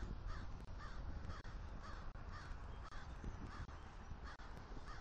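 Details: Male eagle and new female mating on the nest attic in Southwest Florida, morning of 10.1.23, while bringing sticks to the nest. Rhythmic chittering notes repeat roughly every two-thirds of a second over constant wind roar.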